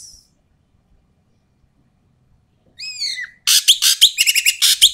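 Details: Loud, rough calls of an Asian pied starling, used to lure quiet starlings into voice; near silence, then a descending whistled note followed by dense, rapid rasping chatter with short clear whistles.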